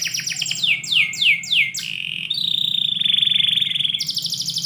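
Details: Canary singing indoors in the morning: fast descending sweeps repeated about three times a second, then a long steady buzzy trill and a brighter high rattle, over a low steady hum.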